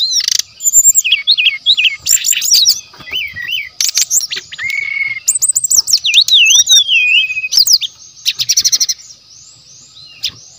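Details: Wild forest brown-chested jungle flycatcher song used as lure and training material: rapid varied phrases of high whistles, slurred rising and falling notes and dense chip bursts, with a steady high insect-like hum throughout.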